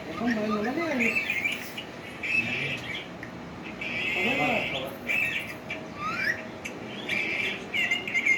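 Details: Pet green ringneck parrot talking: wavering, speech-like syllables in a lower voice mixed with shrill chattering phrases and a quick rising squeak, repeated in short bursts throughout.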